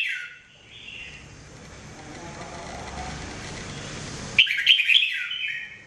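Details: Mebah jambul, the red-whiskered bulbul, singing during daily training: a brief warble opens, then after a hissy pause a louder run of quick bubbly notes closes the passage.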